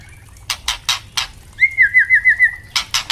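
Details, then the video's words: White-rumped shama recorded as a master tutor for young captive birds: a long whistled trill wavering rapidly about six times, framed by bursts of harsh crackling clicks. "Murai trotol pasti gacor dan murai batu pastol bunyi ngeplong untuk Masteran murai batu trotol"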